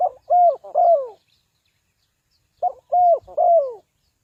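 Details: Spotted dove calling as a decoy to lure wild birds into a trap: two phrases about two seconds apart, each a short soft note followed by two deep, mellow, downward-curving coos.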